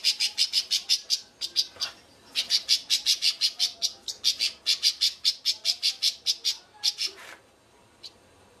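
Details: Goldfinch mule (baster) from Suto Orizari singing a long series of short, evenly spaced high chirping notes, about three per second, with a brief break near the end and a faint final note.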